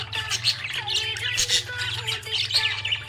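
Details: Happy budgerigar chirping: a dense, continuous stream of high, scratchy chirps and warbles with short squeaky notes in quick succession, over a steady low hum and faint sustained tones in the background.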